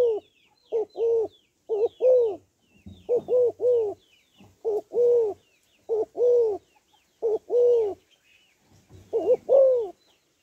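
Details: Spotted dove hen calling to stimulate males: dense series of low, rounded coos in short groups of two or three, closely spaced and continuous, while faint high bird chirps sound in the distance.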